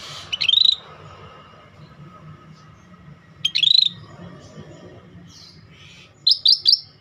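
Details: Scaly-breasted bulbul in lively song. It delivers brief, bright, high whistled phrases, two spaced three seconds apart and then a quick burst of three sharp notes, over a low steady background hum.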